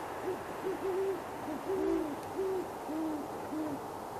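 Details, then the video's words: Two great horned owls, a mated couple in a tree outside Boulder, Colorado, on a January 2016 night, trade deep muffled hoots in a steady series, one voice a touch higher than the other, recorded with a Sony A7s over faint background hiss. "Great Horned Owl Couple Hooting in Conversation"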